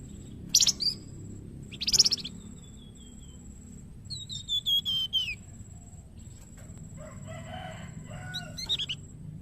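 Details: Young flamboyan singing as a training master in Indonesia: two sharp explosive bursts, a thin falling whistle, a series of whistles dropping in pitch, then softer chattering notes.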